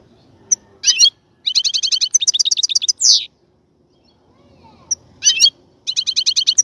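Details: Caged European goldfinch during preparation of a breeding cage, singing long rapid series of rhythmic, tinkling twitter notes broken by a buzzy phrase and a short pause, then resuming the fast trill.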